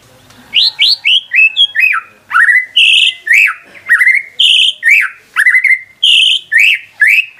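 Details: White-rumped shama song meant to excite a silent bird into singing: loud slurred whistles and buzzy notes in phrases about two per second, varied and rich.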